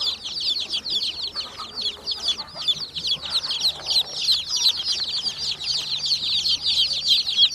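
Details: A brood of hen chicks peeping nonstop. Rapid, overlapping high-pitched cheeps form a steady chattering wash, with a faint low hum underneath.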